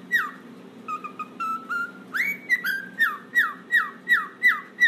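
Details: Pet cockatiel whistling indoors: a few level whistles, then a run of about a dozen quick downslurred whistles repeated roughly three per second, over a faint steady low hum.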